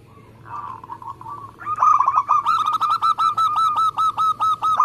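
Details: Local zebra dove singing in a lively competition style, used as a lure to prompt other doves to sing: a soft warbling opening, then a fast run of short, sharp, ringing notes repeated about five times a second.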